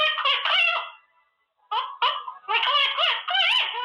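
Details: Caged pet Quaker parrot practising words, laughing and playing: harsh, nasal chattering bursts in three groups with a short silent gap, syllables bending up and down like garbled speech.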